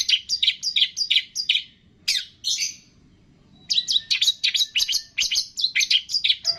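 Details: Long-tailed shrike song used as a training recording, packed with mimicked calls of cililin, greja tarung, lovebird, tengkek and kapas tembak: rapid, sharp, high chirps repeated many times a second, one brief silence mid-way.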